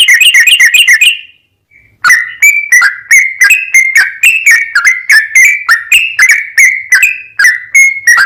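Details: Sooty-headed bulbul in long, rapid 'ropel panjang' song, used as a lure to make other bulbuls sing and answer: a quick buzzy trill, a short pause, then loud whistled notes dipping and rising, repeated several times a second.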